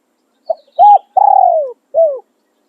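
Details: Spotted dove used to lure wild birds, singing a khan riak or khan yon song. One crisp phrase: a quick coo, a flat held note, a long croon that falls in pitch, and a short falling final coo. Faint high bird notes behind.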